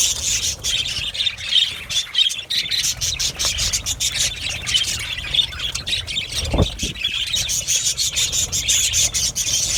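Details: Aviary colony of budgerigars keeping up a continuous high chirping and twittering chorus, rapid overlapping notes throughout, with one dull low thump partway through.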